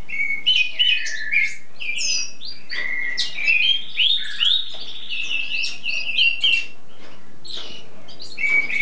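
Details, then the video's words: Continuous spring song from a tutor bird showing off its song for hours: a dense, rambling stream of bright warbled whistles, chirps and slurred notes with hardly any pause. "primavera cantando por horas sin parar!"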